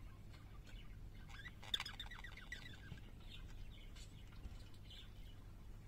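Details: Parakeets singing: quiet chirps build into a rapid burst of stacked, harmonic chattering notes near the two-second mark, then softer scattered tweets and warbles continue to the end over a steady low hum.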